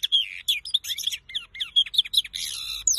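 A goldfinch–canary mule sings a rapid, high, twittering song of liquid chirps, slurred whistles and buzzy trills, pouring out almost without pause.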